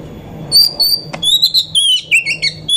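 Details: Female Oriental magpie-robin singing as a lure to raise other magpie-robins' excitement: sweet whistled notes, some held level, others rippling up and down in short rapid phrases, with a sharp click midway.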